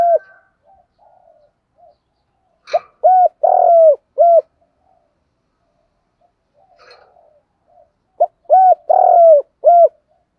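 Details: Spotted dove calls of both male and female birds, used to stimulate and lure other doves: two bursts of soft, hollow, rounded coos, each a quick run of four or five notes with one drawn-out note, separated by long quiet.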